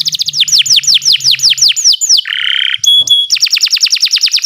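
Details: Canary, Kenari Nusantara, singing a training song for other birds: a series of fast falling whistles, a harsh buzzy burst, a brief pure held note, then more rapid descending whistles.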